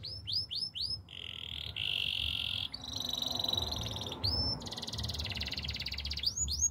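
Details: Canary song with repeated rising whistled sweeps, long buzzy rolls and a fine high rattle, set against a steady background hiss.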